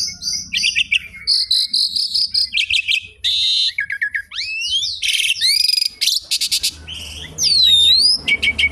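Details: Asian pied starling in full song, used as a lure and teaching material for other birds: rapid varied phrases of clear whistles, upslurred and downslurred notes, buzzy harsh bursts and trilled stutters, loud and continuous against a quiet background.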